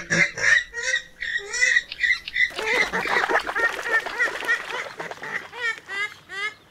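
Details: Western (purple) swamphen (Porphyrio porphyrio) giving loud, harsh, nasal honking calls in quick repeated bursts, about three per second, then a run of rapid chattering cackles.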